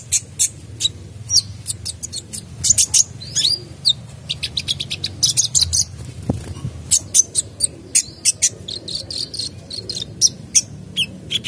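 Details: Sunbird singing actively with a full, varied repertoire, used to prompt other birds to sing: a rapid stream of sharp, very high chirps and thin ticking notes in irregular bursts, with short twittered runs and a faint low hum underneath.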